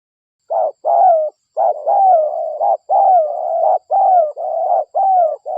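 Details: Local spotted dove lure recording. Dense, almost continuous cooing made of repeated short and longer falling coos in rapid succession, with scarcely any silence between notes.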